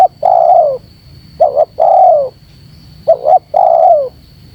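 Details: Spotted dove call used to lure and gather wild birds: a long descending coo, then two phrases each of a quick double note followed by a drawn-out falling coo, over a steady high electronic whine and faint low hiss.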